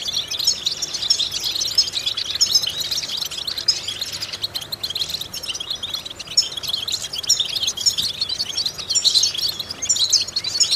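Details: Goldfinch singing in a training recording meant to stimulate other goldfinches: continuous high, rapid twitter of chirps, tinkling notes and buzzy trills, very busy and dense, with louder rich bursts around the start and near the end.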